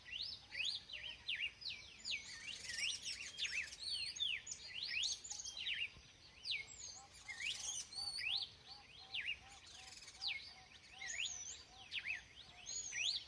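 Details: Red-cowled cardinal singing in a natural setting: a fast, continuous run of clear whistled notes that slide up and down, somewhat distant, with thin high squeaky calls above it and light background noise.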